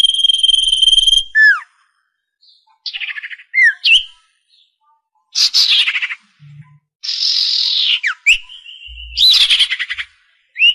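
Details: Bird calls played over a speaker as a trapping lure: a long steady high whistle, then a run of varied chirps, rasping buzzy notes, falling whistles and trills in quick irregular bursts, with short silences between.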